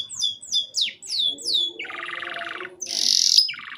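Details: Canary song played to prompt young canaries to start singing: a series of descending whistled slurs, then a long buzzy rattle and a bright harsh trill.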